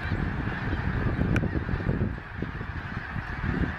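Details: Wintering Snow Geese, migrants from the Arctic, circling Gordon's Pond in Delaware at the end of December after something apparently scared them into flight. Countless overlapping honks merge into a steady, roaring band, with a sharp click and thumping wind noise.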